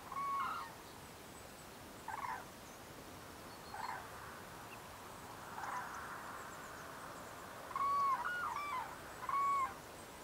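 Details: Common buzzard in Russia giving short, clear mewing calls with a slight downward tail, one at the start and a pair near the end, separated by soft rasping bursts about every two seconds over steady background hiss.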